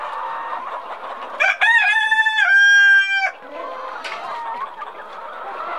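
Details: Speckled Sussex chicken, an old English breed: amid steady flock clucking, one loud harsh, strongly harmonic call bursts out for about two seconds in stuttering segments, then the background chatter resumes with a brief squawk.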